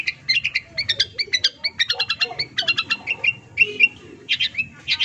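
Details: Song of a long-tailed shrike rich in borrowed fills, meant to coax mute birds into song: rapid bright chips in doubled bursts, then slurred whistles and rough chattering notes.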